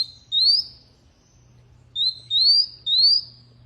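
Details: Canary singing: a short whistled note, a pause, then three smooth rising slurred whistles in quick succession, each about a third of a second long, with a faint low hum underneath.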